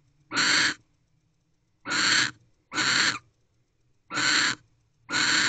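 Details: Wild barn owl guarding the doorway of nest box C at 3:02 am on 31 December 2023; five harsh, wheezing screeches delivered irregularly, with a longer pause after the first and tighter spacing later.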